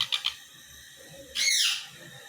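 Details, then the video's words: Sun conure chick, newly arrived in the home, gives a few quick raspy chirps, then a longer harsh, hissing screech after a short pause. "my sun conure chick"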